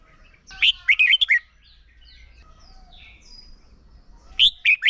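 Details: Decoy Red-whiskered bulbul for contest song training sings a short warbled phrase of four slurred notes, then a long pause with faint distant whistles, and a second phrase begins near the end.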